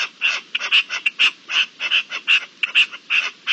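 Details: Partridges calling during the mating season, recorded on 27 April 2021: harsh, scratchy notes in short bursts of two or three, separated by brief gaps, with a quiet background.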